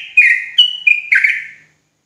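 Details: Javan sooty-headed bulbul giving a short run of four bubbly whistled notes, stepping up and down in pitch, before trailing off into silence.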